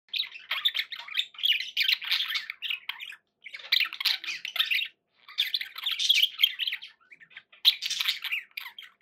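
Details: Pet budgerigars chattering in four long bursts of fast, scratchy warbling with squeaky chirps and clicks, separated by short pauses of about a second.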